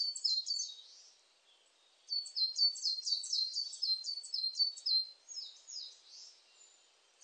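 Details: High, thin coal tit song from 2020: a brief opening run of falling double notes, a pause, then a longer string of the same quick, sharp phrases.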